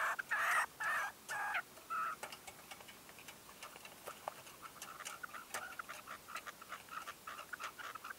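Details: A decoy red-legged partridge at a 2023 dawn hunting stand opens with four loud, harsh, broad bursts, then shifts to a quieter run of quick, soft clicking notes.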